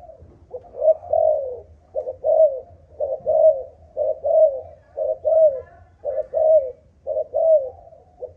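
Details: Steady cooing from a Malaysian-line spotted dove, 'âm thổ' earthy-tone style: about eight low, hollow phrases, each a brief lead note and a falling coo, roughly once a second.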